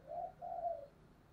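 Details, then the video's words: Distant spotted dove decoy call meant to provoke wild birds: two soft, low, smooth coos in quick succession over a steady background hiss. "Cu mồi thúc vầy chịu gì nổi"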